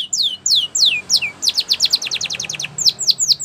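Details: Singing canary, Spanish Timbrado training song: several slow downward whistled slurs, then a quick run of short repeated notes and a few rising-falling sweeps.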